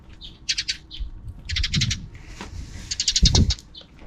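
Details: Sparrows heard in the afternoon beyond a camera's frame: three clusters of rapid, high chattering chirps, interspersed with dull low thumps and knocks.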